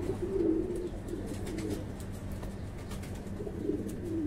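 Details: Fancy pigeons at a breeding farm give soft, low cooing phrases at the start and end, separated by a quieter gap, over a steady mechanical hum and faint clicks.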